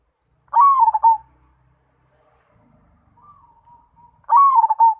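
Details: Zebra dove song: two mellow cooing phrases about four seconds apart, each opening with a rising note and breaking into stuttering, trilled coos, with a softer, thin cooing passage between them in otherwise quiet surroundings.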